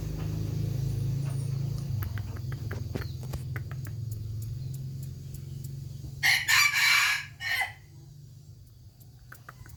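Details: Rooster crowing: a steady low hum and faint ticking fill the first six seconds, then one loud, harsh, broken crow of about a second and a half, trailing off into a short final note, followed by quieter hum.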